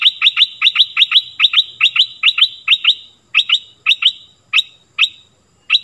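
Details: Stripe-throated bulbul song meant to teach young birds and draw in wild birds: crisp doubled chirps repeated in a steady run, spacing out toward the end with longer gaps.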